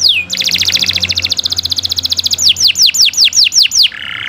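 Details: Nusantara canary singing loudly: a downward whistled slur, a long fast trill of repeated pulses, then seven crisp falling whistled notes at a quick steady pace and a closing buzzy phrase, with faint low hum.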